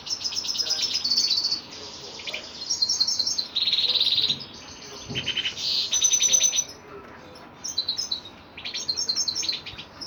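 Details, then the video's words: Male goldfinch, known locally as kalu putha, singing in rapid high twittering bursts with buzzy trills and chattering phrases, broken by short pauses; faint background hiss. "Male goldfinch bird -kalu putha"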